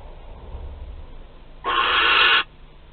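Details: Barn owl in a nest box at Théding, filmed on 27 April 2021 while live prey moves around inside. One harsh, broadband hissing screech lasts almost a second against a quiet, low background hum.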